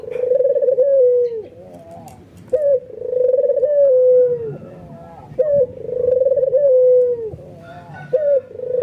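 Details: Albino white ringneck dove in full nodding coo, emotional and triggering nearby doves to coo too; three low rolling coos about three seconds apart, each falling at the end, with brief rising notes between them.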